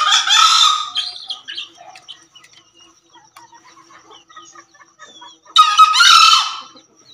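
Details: Javan green junglefowl male crowing twice, a loud rasping burst opening the recording and another about five seconds later, separated by quiet background chirping of small birds.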